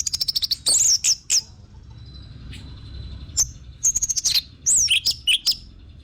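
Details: Orange-headed thrush giving quick rattling notes and high slurred whistles, a quiet gap, then another chattery burst ending in descending twisted whistles, used as a lure.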